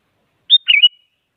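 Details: Sooty-headed bulbul in active song meant to goad other bulbuls into singing: a single brief phrase of a sharp whistled note followed by a quick liquid warble and a clear trailing whistle, in silence.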